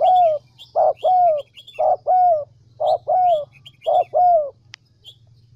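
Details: Spotted dove from the Central Highlands, a lure bird, cooing loud, mellow notes in repeated groups of two or three, each note slightly falling, over a faint low hum.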